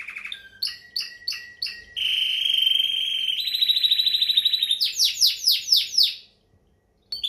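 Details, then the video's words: Timbrado canary song: a few clipped chirps repeated about once a second lead into a sustained buzzing roll, then a series of quick falling whistled notes before a brief pause. "Timbrado Canary"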